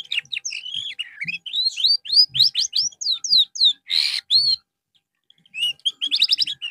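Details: Canary singing during therapy after losing its singing form: rapid run of rising and falling whistled notes, a brief harsh burst near four seconds, a pause, then a quick trilled phrase.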